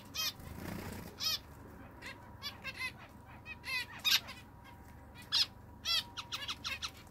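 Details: Zebra finch calls: short, nasal, harmonic beeps given in quick irregular bursts, some in pairs and clusters, against a steady faint background hum.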